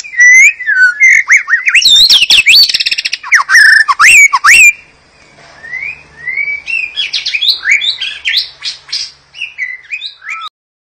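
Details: White-rumped shama singing, used to prompt other shamas to sing: loud, varied whistled phrases with swooping slurs, rapid buzzy trills and sharp chips, a brief pause, then renewed fast chattering and whistles.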